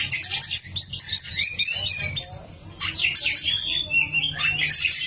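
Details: Oriental magpie-robin in gacor singing: rapid, repeated high chirps for two seconds, a short pause, then a fresh burst of buzzy trills and whistles, low hum beneath.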